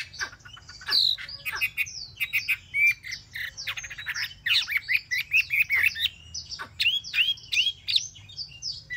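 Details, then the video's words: Caged for three months, a Chinese hwamei pours out a varied song of sharp clicks, rapid warbling and looping whistles, phrases changing quickly and continuing throughout. "chim họa mi mcb2045 - 3 tháng lồng"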